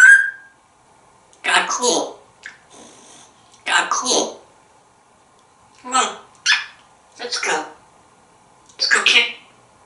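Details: Pet African grey parrot, a talkative male living in a home in Texas, sitting on a kitchen counter and talking: short bursts of humanlike spoken words with pauses between, in a quiet indoor room.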